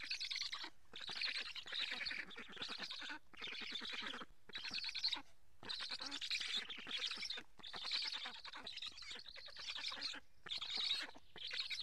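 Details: At a live-camera nest in Karula, Estonia, black storks are fed fish in July 2017; rasping, fast-pulsed wheezing bursts repeat for most of the recording, with brief silent gaps between them.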